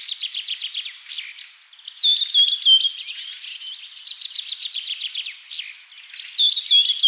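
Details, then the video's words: Forest birds chirping: fast trains of high, dry chirps interwoven with bright whistled trills and faint thin notes from other birds. "Bird Chirping Sounds-Birds Chirping in the Forest"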